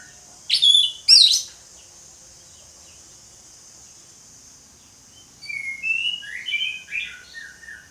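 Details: Orange-headed thrush with ngeplong singing: two sharp, loud whistled notes, a pause of several seconds, then a softer, more distant string of warbled phrases over a steady high hiss.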